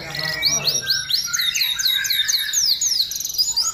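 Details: Canary singing vigorously in an aviary, offered as master audio for training: a lively series of high arching whistled notes repeated about three per second, over low background murmur.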